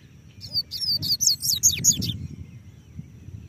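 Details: Double-collared seedeater singing while perched on a person's hand: a fast burst of high, sharp, twittering notes and short trills lasting under two seconds, then quiet with a low background rumble.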